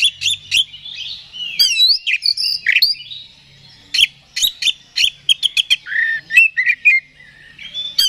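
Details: Oriental magpie-robin singing as a provocation sound to excite another bird: a long, varied phrase of warbled whistles, slurred upward notes and quick harsh chips, dense at first, then a fast series of clipped notes.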